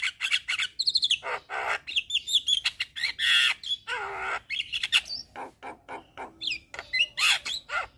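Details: Dense, busy Javan myna song used to lure and train mynas: rapid chatter, squawks and short whistles packed closely together with hardly a pause.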